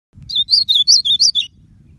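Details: Blue-black grosbeak song: one quick phrase of about six bright, slurred high notes, each sweeping down, packed into just over a second, over a soft low rumble.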